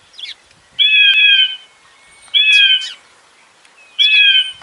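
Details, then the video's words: Falcon or eagle cry played to frighten pigeons: three loud, flat, harsh screams, each about half a second long, spaced roughly a second and a half apart against near silence. "Sonido de halcón y águila ahuyenta asusta palomas"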